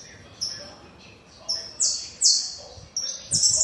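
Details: Saffron finch giving a sparser phrase of high, clipped notes, several loud bright bursts spaced about half a second apart over a noisy, rustling background.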